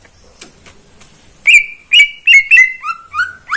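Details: Caged greater green leafbird singing in the morning: after a quiet start, a run of loud clear whistled notes, each sliding down and repeated about every quarter to half second.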